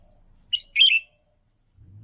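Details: A single lively, warbled phrase from a red-whiskered bulbul, used to train young birds, made of a clipped high note and a longer slurred, tumbling note, followed by a brief low rumble.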